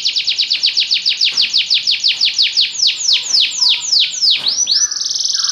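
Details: Belgian canary singing: a long series of loud, descending whistled sweeps repeated about three times a second and slowing toward the end, closing with a rapid buzzy trill.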